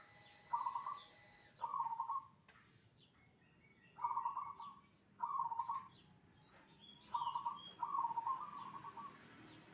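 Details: Zebra dove song used to make other zebra doves answer: a series of short stuttering cooed trills in irregular bursts, with higher chirps from other birds scattered between the phrases.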